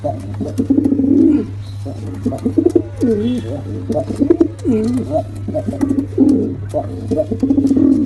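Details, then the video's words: Male and female pigeons cooing in quick wavering notes, some bending down and up, over a steady low hum. "Male & Female Pigeon Combo Attacks Sound"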